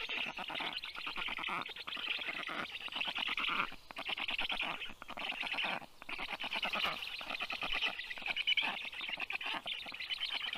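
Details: Rescued black stork chicks, 29 days old, being fed at a university veterinary clinic in Tartu, Estonia, on 20 June 2022 in the afternoon; continuous harsh rasping begging calls in rapid pulsed bursts, with brief pauses.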